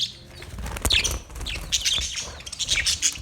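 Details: Budgerigars chirping: a few scattered short high chirps and squeaks separated by quieter gaps, with soft fluttering and rustling noise underneath.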